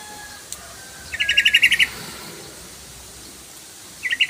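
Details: Yellow-vented bulbul (trucukan) lure call, used to make the bird sing: a quick bubbly run of about eight chirps near two to three kilohertz, then a short pause and a second brief burst at the end.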